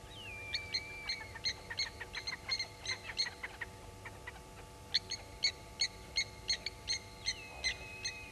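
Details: Blacksmith lapwings at Gowrie dam, Djuma Game Reserve, Sabi Sand, South Africa, at 07:33 on 07/18/19 object to an African harrier hawk with sharp, metallic hammer-on-anvil 'klink' notes in rapid runs, about three per second. A thin drawn-out whistle sounds twice over a low hum.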